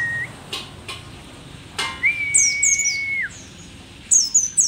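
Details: Old but vigorous mountain white-eye from Merapi, described as an endemic rarity: rapid high, slurred chirp bursts, preceded by sharp clicks and a long, steady mid-pitched whistle.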